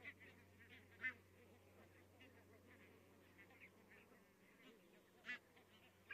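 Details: Many barnacle geese calling at a distance in Estonia on 22 October 2017: a constant soft babble of yapping notes, with a few louder barks breaking through at the start, around one second and near five seconds.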